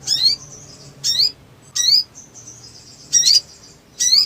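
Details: Black sunbird singing with intense emotion. Sharp, high, downslurred chips come in bursts roughly a second apart, linked by thin, high, level trilled notes.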